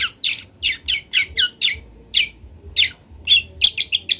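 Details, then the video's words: Long-tailed shrike, local Kendal bird, repeating a short descending whistled note about twice a second, then a fast cluster of sharp chips at the end, with little background sound. "MASTERAN CENDET TROTOL BELAJAR BUNYI"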